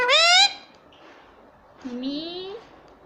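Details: Indian ringneck (rose-ringed) parrot imitating the human words "mummy" and "papa": a loud, rising, reedy syllable, then after a pause a softer, drawn-out upward-sliding word, in a quiet room.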